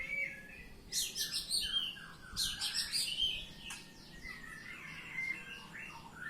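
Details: Ngeplong-style song of an Oriental magpie-robin (kacer): two loud bursts of high, rapid, scratchy notes mixed with sharp whistles, then a sweeping run of slurred whistled notes.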